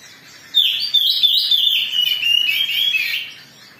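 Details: Oriental magpie-robin, agitated song used as a lure to provoke other birds into singing; a continuous, rapid run of bright, varied whistles and warbled phrases, loud and high, lasting about three seconds with no other clear sounds.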